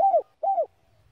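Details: Spotted dove in slow 'giọng đồng' style, sung to stir rival doves: two rounded, slightly falling coos in quick succession, then quiet.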